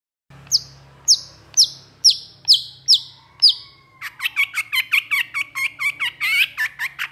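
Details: Long-tailed shrike in vigorous, agitated song: sharp high downslurred whistles repeated about twice a second, then a fast burst of clipped chattering notes, over a faint low hum.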